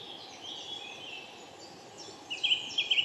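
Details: Lesser spotted woodpecker, 19 April 2018: after a quiet start, a series of high, sharp, repeated notes comes in fast succession near the end, set against constant faint background noise.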